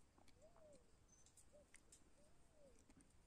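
Tataupa tinamou giving a few soft, low whistled notes, each briefly rising then sliding down, over steady low rumble and scattered clicks.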